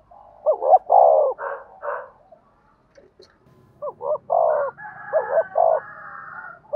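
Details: Spotted dove of the 'giọng đồng' voice, a lure call for provoking wild 'giọng thổ' birds: mellow double hoot and drawn-out coo, then a pause and more cooing with a drawn-out crowing bird overlapping.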